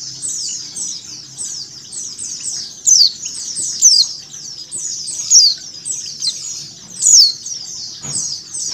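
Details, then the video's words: A female white-eye calling, mixed with a white-eye flock: continuous thin, high twittering with louder downslurred chirps about once a second over the busy chorus, used to get white-eyes singing. "PLECI BETINA ngecal + suara pleci ombyokan"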